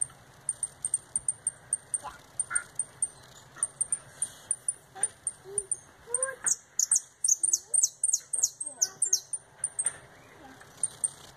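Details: Canary singing in the retinido style, with a fast turn, just back from moult: very high, thin, ringing notes repeated in quick series, speeding into dense trilled bursts midway, then returning to spaced ringing notes.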